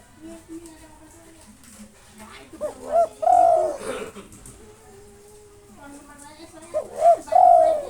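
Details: Local spotted dove in long-breathed song to provoke rivals. Two phrases of short bent coos and a long, steady final coo, set among low humming tones, murmurs and other background noise.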